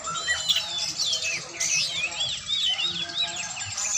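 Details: Oriental magpie-robin during a training session, singing a rich, fast run of whistled slurs and upward and downward sweeps, with a high-pitched steady hiss and faint low hum behind.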